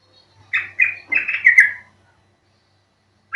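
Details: Short yellow-vented bulbul call for luring birds into singing: four or five liquid, chirpy notes in quick succession, then silence.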